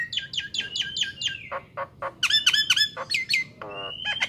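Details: Nias hill myna in vigorous full song, recorded as a tutor recording for training songbirds: loud harmonic whistles and squawks, a fast run of repeated notes followed by sharp falling calls, rising whistles and a brief rattling burst.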